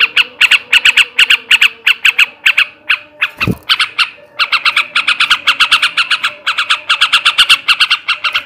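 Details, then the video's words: Yellow-vented bulbul male, ngebrem and ngekek garuda song to raise breeding drive: grating chatter in clustered bursts, a brief loud knock midway, then a denser and faster stretch of rasping notes. "kicau suara burung trucukan jantan ngebrem ngekek garuda"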